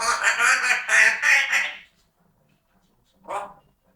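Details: Pet parrot chatting: a stretch of rough, speech-like babbling with rhythmic syllables for about two seconds, then silence and one short nasal squawk.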